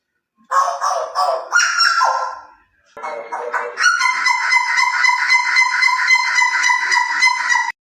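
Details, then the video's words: Shrike making harsh, buzzy, nasal notes: a few separate squawks, a brief pause, then a long steady train of rapid pulsed notes repeated several times per second for about four seconds. "suara burung jagal"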